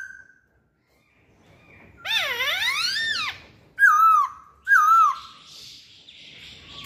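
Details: Masked laughingthrush lure song opening with a long harsh nasal note that wavers up and down. Two short, loud, downslurred whistles follow, each with a clear ringing tone, over faint room noise.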